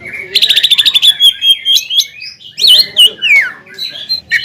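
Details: Greater green leafbird in full song, used to provoke a rival male into singing: a rapid stuttering trill, then varied sweet whistles and slurred notes that swoop up and down.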